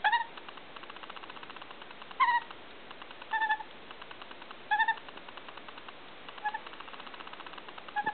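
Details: A rescued female white-backed Australian magpie chick about 1.5 to 2 months old, hit by a car and abandoned by her parents, gives short, nasal, slightly wavering squawks every one to two seconds, seemingly hungry, over faint steady ticking.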